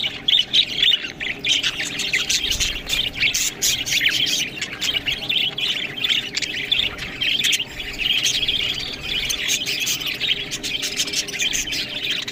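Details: Budgerigars eating green food keep up a lively twittering: sharp clicks and chirps in quick bursts over a steady warbling chatter from many birds.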